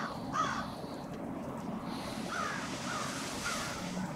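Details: Crows gathering at a winter staging site on Washington St, Brattleboro, Vermont, 16 February 2021; several short hoarse caws spaced about a second apart over a steady low rumble of traffic.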